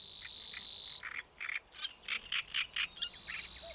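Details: Savi's warbler hidden in the reedbeds of Lake Neusiedl, Austria, a migrant from Africa, gives its characteristic high, dry, insect-like reeling buzz, broken by a run of short chirpy notes about four per second before the reel resumes.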